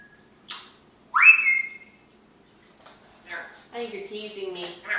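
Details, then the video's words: Talking pet parrot indoors, asking about peanuts or popcorn: a strong rising whistle that flattens into a held tone, then a run of buzzy, harmonic, speech-like chatter in a quiet room. "the parrot talking"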